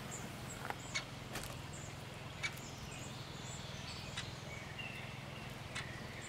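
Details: A great spotted woodpecker (Dendrocopos major) with its young at a private bird-protection site in Elz gives sharp, single clicking calls at irregular one-to-two-second intervals, over a steady low rumble with faint high chirps.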